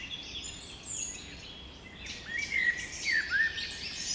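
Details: Spring birdsong in the Carlsbad Flower Field, California, USA: high thin whistled notes and a few quick downslurred chirps, faint against constant broadband hiss.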